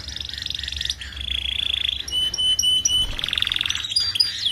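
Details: Canary in the paud singing style, recorded as a tutor for young canaries kept together so they start singing quickly: rapid buzzy trills with bursts of high sharp chips, shifting between trill types every second or so.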